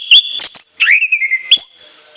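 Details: Orange-headed thrush singing a loud filled phrase: bright whistles and sharp strokes, a falling slurred run, then a rising whistle held high before fading.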